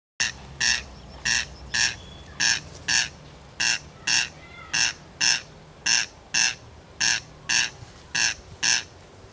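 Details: Corncrake calling from grass, giving its dry, rasping crex-crex, each harsh note repeated about every half second in an even, mechanical rhythm.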